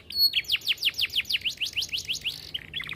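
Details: Canary in long continuous song: a high thin whistle, then a steady run of about a dozen descending swept notes, ending with quick buzzy chips.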